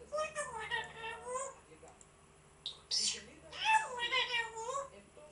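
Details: African grey parrot chattering in smooth, wavy harmonic tones resembling talking, then a pause, a sharp hiss-like burst and more rapid, rising and falling voice-like phrases.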